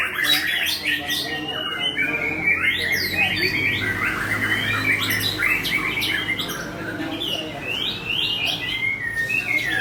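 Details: Aceh white-rumped shama singing in a contest while hung at the judging pole: rapid run of varied whistled and chattering phrases, sharp upswept notes and trills, overlapping continuously with other contest birds and crowd murmur.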